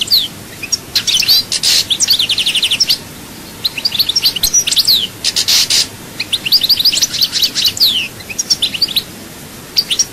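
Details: Chaayba-style song of a European goldfinch from Souk Ahras. Sustained, fast, liquid twittering is broken by short buzzy bursts and sharp chirp series, with phrases following one another almost continuously over ten seconds.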